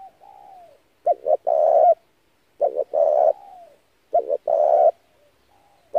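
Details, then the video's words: Spotted dove cooing as a lure for dove trapping: soft falling notes precede three loud phrases of a twin note and a long coarse coo, evenly spaced. "tiếng chim cu gáy hay kích mồi rút bổi tốc độ cực chuẩn"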